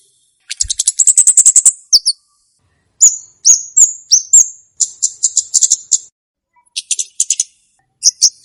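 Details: Olive-backed tailorbird used for luring and training: a fast high trill, then a series of ringing whistled notes and short chattery bursts spread across the clip.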